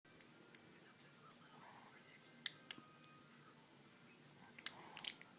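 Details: A pet green-rumped parrotlet (Forpus passerinus) makes cute noises indoors: brief, sharp, high chirps, scattered irregularly, sometimes in quick pairs, against a quiet indoor background.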